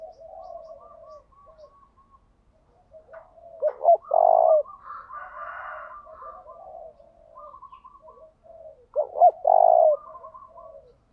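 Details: Spotted dove lure call for provoking a singing contest: two loud phrases about five and a half seconds apart, each two quick notes then a long low coo, amid softer coos and higher chattering notes from other birds.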